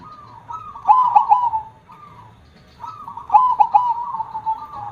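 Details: Zebra dove (perkutut) praised for a big voice gives two mellow cooing phrases, each a low fluttering coo ending in a drawn-out tone, with a pause between them.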